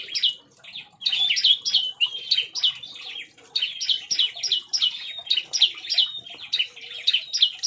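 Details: Bar-winged prinia in an aviary, agitated and singing in rapid 'nembak' style: high, sharp chirping notes fired in quick bursts of about three per second, with a brief lull mid-clip before the burst resumes.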